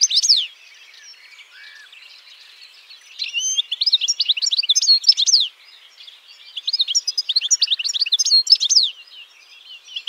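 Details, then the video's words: A European goldfinch gives a rapid, tinkling run of high twittering notes and liquid trills, two bursts of song a few seconds apart. "BIRDS VOICE : The European Goldfinch Bird"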